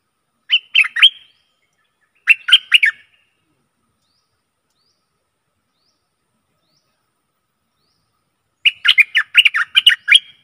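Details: Decoy song of a Stripe-throated bulbul for luring aggressive wild birds: three separate phrases of rapid, liquid warbling notes, the last longest, with long silent gaps between.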